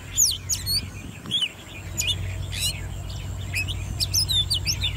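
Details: Caged Oriental magpie-robin, ten months old and raised from a nestling, in contest singing: scattered sharp, high chips and short twisting whistles, fairly irregular, against a steady low background hum.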